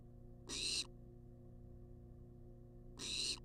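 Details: Wild barn owl in a monitored nest box, filmed on a live cam while demanding food: two harsh, hissing screeches about two and a half seconds apart over a steady low electrical hum.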